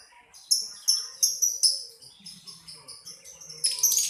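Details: Lovebird song made of sharp, high chirps repeated in quick bursts, louder notes spaced about every half second, then a run of softer twittering and a final harsh flurry.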